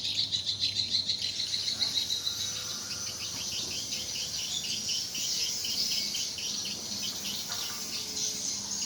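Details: Many swiftlets at a four-month-old, four-storey swiftlet house: fast pulsed high chirping, quick rhythmic twitters at first, then a continuous chattering chorus over a low background hum.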